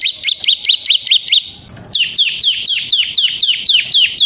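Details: Semi-gacor bar-winged prinia in ngebren song, used to draw out and tutor other birds: quick high chirps in a rapid series, a short gap, then a louder run of down-slurred, buzzy-edged notes repeated steadily.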